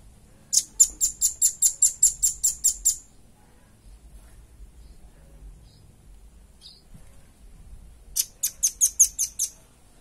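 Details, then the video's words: Velvet-fronted nuthatch recorded for training other birds: two rapid trills of high, sharp chips, the first about twelve notes long, the second shorter, separated by several seconds of near silence with one faint chirp. "SUARA PANCINGAN & MASTERAN RAMBATAN PARUH MERAH JERNIH"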